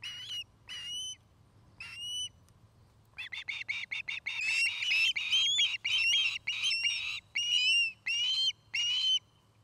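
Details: Osprey calling at a nest near Charlo, Montana, where a pair is building a new nest, camera footage from the afternoon of 09-05-2018; a few spaced whistled notes, then a louder, crowded burst of chirping squeals.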